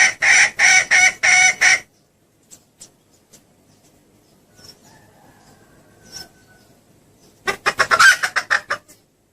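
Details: Female red junglefowl call used to entice males: a rapid burst of rough clucks, a quiet stretch with faint clicks, then another fast cluck series.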